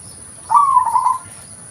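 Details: Single phrase from a local zebra dove, recorded as a lure sound: a quick trilled run of mellow coo notes, steady in pitch and about three-quarters of a second long, with little else audible.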